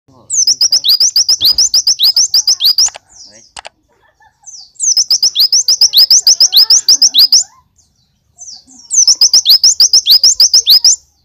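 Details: Oriental white-eye (pleci) giving three bursts of rapid, high, sharp chipping notes, about eight per second, each burst nearly three seconds with short pauses; a "tembakan" shooting song full of Javan munia (glatik) imitations.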